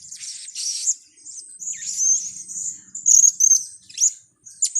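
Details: Trapping lure sound of a blue-crowned hanging parrot: thin, high whistled squeaks and a buzzy trill, then loud piercing chirps near the end.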